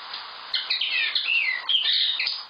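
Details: Common linnet singing a short twittering phrase of quick chirps and slurred notes, some descending, starting after a half-second of quiet and running to the end.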